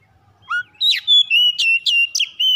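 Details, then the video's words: Oriental magpie-robin kept at home, singing as a quick singing trigger: a short rising whistle leads into loud, sweet, ringing phrases mixing clear level whistles with brief harsher chirps. "PANCINGAN CEPAT PAGI SIANG MALAM KACER RUMAHAN CEPAT GACOR"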